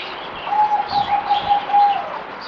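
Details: Zebra dove (merbok) on its fourth day of deworming, 17 April 2020, giving a rapid run of soft, even, pulsed cooing notes at one steady pitch, with faint higher chirps from other birds behind.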